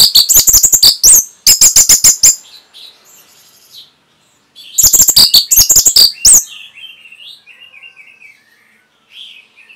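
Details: Orange-headed thrush training song (masteran): two bursts of very rapid, high, harsh, ticking notes separated by a pause, each followed by soft twittering warbles.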